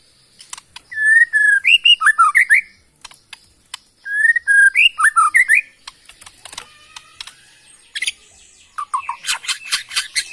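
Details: Bornean white-rumped shama from Kalimantan forest, a caged songbird, repeating a phrase of whistled and twisting notes twice, then buzzy chatter and a burst of rapid harsh notes.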